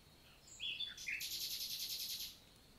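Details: Common nightingale singing in daytime, June, Lot, France: a few varied whistled notes followed by a loud, fast, buzzy run of evenly repeated pulses lasting over a second.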